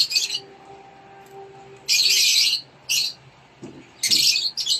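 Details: Inside a nest box, young rosy-faced lovebirds being fed give intermittent coarse hissing rasps, short and long, amid low background hum.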